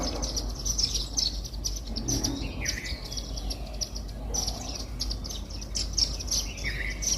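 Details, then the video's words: Indian silverbills eating millet from a feeder in a house garden give short, high chirps in quick irregular runs, with a few lower sliding notes between them and a steady low hum underneath. "Indian Silverbill bird 🐦chirping sound"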